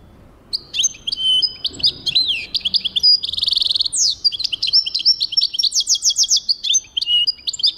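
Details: Singing European goldfinch, 2023: an extended, rambling high twitter mixing slurred whistles, a dense buzzy trill in the middle and sharp descending chirps, delivered almost without pause over faint low background rumble.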